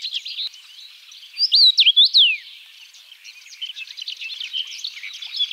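A Common Rosefinch gives one loud phrase of clear, slurred whistles sweeping up and down, about a second long, amid softer high twittering from other small birds.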